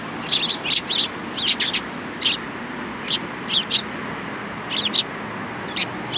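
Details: Sparrows in a cherry tree at a Tenmangu shrine on 24 March 2023 give clear, high, slightly slurred chirps, some doubled or in quick runs of three, with short pauses between.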